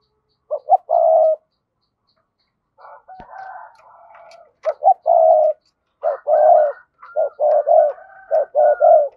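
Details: Spotted dove used as a decoy to provoke wild doves, giving repeated double-voiced coos in uneven bursts, with short clipped notes and longer rolling coos, a louder busier stretch of cooing late on, and a brief quieter rough passage midway.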